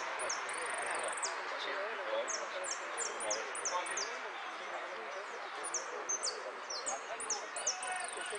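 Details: A finch, the first-place yellow bird at a song contest in Monte Grande, 30 October 2016, sings a fast run of thin, high, down-slurred notes in quick bursts over a steady murmur of crowd chatter.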